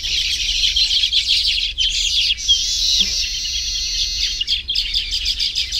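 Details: Baya weavers at their hanging nests in a tropical habitat, a dense overlapping chorus of high, buzzy chirps and twitters from many birds, with a single low note near the middle.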